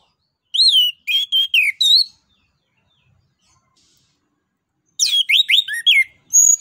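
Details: Song of an orange-headed thrush, played to stimulate other birds to sing: two bursts of loud, quickly modulated whistled and chirping notes separated by a few seconds of silence.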